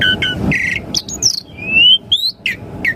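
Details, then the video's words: Brief Asian pied starling song snippet, played to make caged starlings answer: harsh grating notes, high thin chips, then a long smoothly rising whistle and two quick downslurred calls above low hum. "Pancingan Jalak Suren Auto RESPON Langsung NYAUT - Masteran Suara Burung Jalak Agar Gacor Full Isian"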